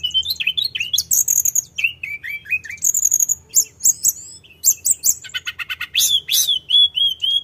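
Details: Energetic rolling song from a Sunda robin mixing short whistled phrases, high thin notes and a rapid buzzy rattle, with steady whistles repeated toward the end. A soft low hum lies beneath.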